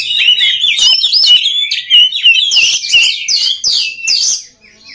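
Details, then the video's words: Oriental magpie-robin singing a varied, fast phrase meant to train other magpie-robins' mettle so they sing eagerly. It mixes clear slurred whistles with scratchy chirps, about three notes a second, then a brief quiet end. "SUARA KACER PALING DI CARI UNTUK MELATIH MENTAL KACER LAIN AGAR CEPAT GACOR"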